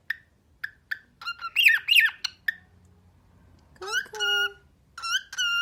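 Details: Talking cockatiel gives quick, bright chirps, then harsh, rich squawking phrases that may be mimicked Persian speech.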